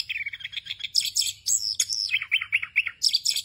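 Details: Orange-headed thrush in continuous rolling ngerol song full of varied phrases, used as a tutor recording for young thrushes: sweet whistled notes slide near mid pitch, then higher sharp chips and falling warbled figures, over a faint low hum.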